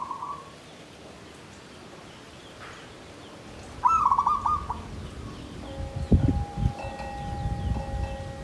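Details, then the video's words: Caged zebra dove (perkutut) in a bamboo cage giving a Tumpang Sari style song: one short burst of rolling, trilled cooing near the middle, with low thumping knocks and a steady faint tone afterwards. "SUARA PERKUTUT KLABANG KAPIPIT || TUMPANG SARI || KLARR KETE KUK KUK"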